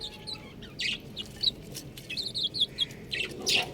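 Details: Young buff chickens give bright, thin peeps in short bursts, including a quick run of four or five rapid cheeps midway, over a quiet background hiss.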